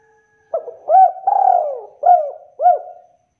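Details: Spotted dove giving its kuk call, said to set other doves calling too: five low hollow notes, a short opener, a rising coo, a long drawn falling note, then two clipped falling kuks, clean with no background sound.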